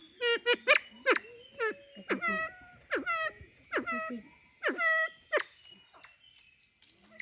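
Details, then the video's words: Siamese fireback calling: a series of harsh, harmonic notes that each drop sharply in pitch, given in clusters about every half second to a second, then fading away near the end. "Listen…….to the sound of Phayalao pheasant ( Siamese fireback) มาฟังเสียงของไก่ฟ้าพญาลอกัน"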